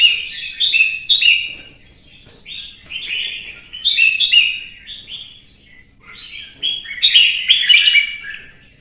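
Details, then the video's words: Red-whiskered bulbul, provoked into fighting song, pouring out chattering, warbled whistle phrases in clusters, ending in a loud, busy burst. "CHÀO MÀO | Kè kích chim hót đấu kích ché căng lửa"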